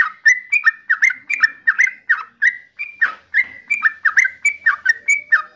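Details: Trucukan, the yellow-vented bulbul, in a rapid chattering song of liquid, warbled notes, each with a quick dip and upturn, delivered steadily for several seconds with a brief gap near the middle.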